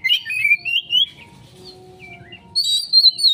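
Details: Kacer, or Oriental magpie-robin, singing a 'konslet' lure song: a long rising whistle that climbs steadily, a quiet gap with soft notes, then a bright, high, sustained whistled phrase. Low background hum.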